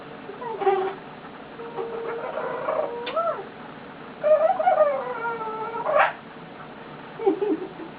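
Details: Male eclectus parrot lying on its owner indoors, making many cute noises: wavering, warbled whistles with slides up and down, some reedy and horn-like, broken by short pauses.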